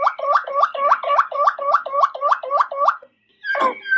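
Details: Malinois Waterslager canary song: a low, bubbling, water-like phrase repeated about ten times in three seconds, each note swooping up, then a short pause before a new phrase begins.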